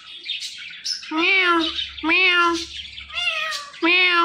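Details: Pet parrot talking in three voice-like phrases, each a harmonic, slightly falling utterance about a second long, separated by short pauses, with a faint low hum behind.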